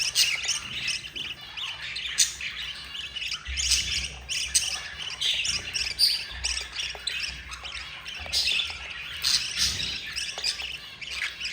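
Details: Four young budgies beg during feeding by their yellow mother, producing continuous scratchy squawks and chirps, bursts swelling and fading across the recording.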